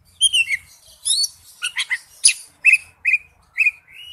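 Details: Oriental magpie-robin, wild forest-type song: a few complex scratchy phrases, then a series of four clear whistled notes, each dropping slightly, spaced about half a second apart.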